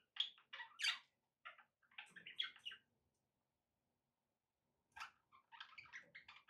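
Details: Short runs of squeaky budgerigar chirps and chatter, a long silent gap, then another burst of clipped warbling notes.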